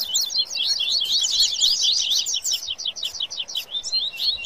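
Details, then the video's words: Baderna-style song from a fired-up Rusty-collared seedeater among papa-capim: hurried high twittering, upslurred notes packed tightly, slightly thinning toward the end. "Baderna de Coleiro e Papacapim Foguiando"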